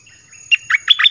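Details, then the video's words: Red-whiskered bulbul song used to attract wild birds: a rising run of three or four rich, slurred whistled notes ending in a quick upward flourish, close and clear. "เสียงนกกรงดอกแตงEp.22Birds sounds เปิดดอกเพลงหลากหลาย นกป่าเข้าเร็ว เพลงเพราะน่าฟัง"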